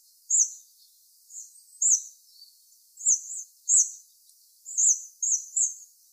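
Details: During autumn migration, a hawfinch gives about ten brief, thin, high-pitched ticking notes. They come singly or in close pairs, separated by pauses of up to a second, against a quiet background.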